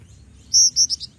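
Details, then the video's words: Female black-winged flycatcher-shrike, calling often to draw in males and used as a lure: three high, thin chirped notes, first longest, then two shorter ones quickly following, over a quiet background. "Jingjing Batu Betina Gacor Manggil Manggil Jantan"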